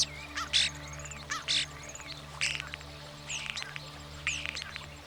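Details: European Starling singing in mating season to impress potential partners: varied whistled notes, some rising and others sliding down, mixed with short buzzy bursts and clicks in irregular phrases about a second apart, over a steady low hum.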